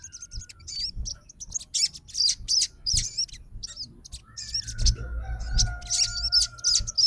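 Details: Crimson sunbird answering another sunbird's song with high chirps and brief wavy trills. A steady low whine runs under the second half.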